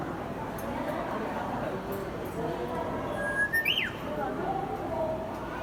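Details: Grey parrot kept at Kakegawa Kachoen in Japan mimics the Japanese bush warbler's hoo-hokekyo call: a held whistle followed by a sharp upward sweep that drops away, heard against steady background chatter.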